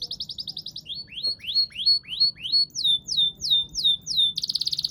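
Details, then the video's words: Canary (kenari) singing a long-duration song: fast trilled pulses, then a series of rising-then-falling whistled sweeps, next sharper downslurred notes, ending in a rapid buzzy trill; steady low hum underneath. "KICAU KENARI DURASI PANJANG"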